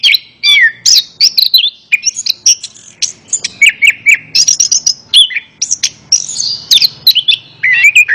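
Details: Orange-headed thrush in full song, played to coax a reluctant bird into singing: continuous rich phrases mixing slurred whistles, rapid chips and squeaky trills, with barely any pauses over eight seconds.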